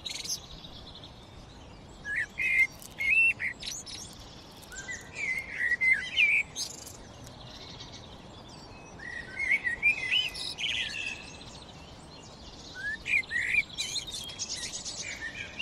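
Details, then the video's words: Sparrows sing in short clusters of bright, chirpy notes every few seconds, with quick rising and falling twitters over a steady outdoor hiss. "Aves Cantando, Canto Aves"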